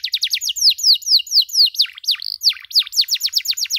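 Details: Canary chirping on a training recording for teaching other canaries: loud, clean, rapid descending cuit notes repeated several times a second with a short trill in the middle.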